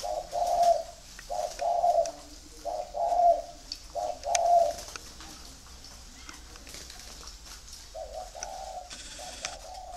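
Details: Spotted doves raised free-range for breeding in Ba Vì, Hanoi, Vietnam, cooing loudly in short, mellow, rounded notes about once every second, then a quieter pause before a softer final phrase, with light background hiss.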